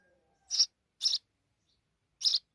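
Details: House sparrow mother with her babies: three short harsh high chirps, spaced irregularly, in a quiet setting.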